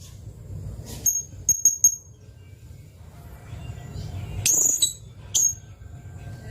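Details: Blue-crowned hanging parrot recorded as a training song for white-rumped shamas: a handful of very high, sharp, piercing notes, some in a quick triple, separated by pauses over soft low background noise.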